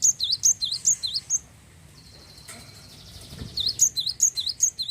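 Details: Java sparrow singing to prompt other birds to start singing: quick series of high, dipping chip notes, about two per second, broken by a pause with a faint steady hiss and a low knock, then the chipping resumes.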